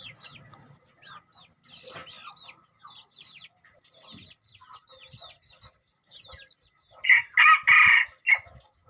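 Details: Hybrid decoy junglefowl, two months old, cheep in short high notes, then three loud harsh squawking bursts break out near the end.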